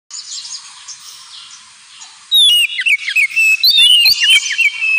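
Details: Kept Oriental magpie-robin in the ngemplong style of song: a hissy background first, then loud clear whistles and varied slurred phrases rising and falling.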